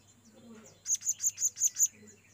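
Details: Lure calls of a blue-crowned hanging parrot summoning companions: one quick burst of six sharp, very high notes evenly spaced, with a faint low murmur before and after.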